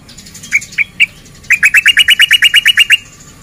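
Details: Male sooty-headed bulbul in breeding condition, singing in a rapid run as a lure to provoke other males to fight: three spaced chirps, then a fast burst of about thirteen even, bright notes in quick succession before stopping.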